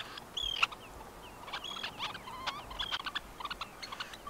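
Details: Red-necked Phalarope in Tainan City, Taiwan, 20 September 2015: a busy stream of short, high twittering notes and a few thin whistled slurs, overlapping as if from several birds, over a constant soft background hiss.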